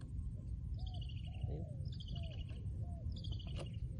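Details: Low rounded coos from a trained decoy spotted dove repeat about every half second, while descending high twittering phrases from other birds recur about every second and a half over steady low noise.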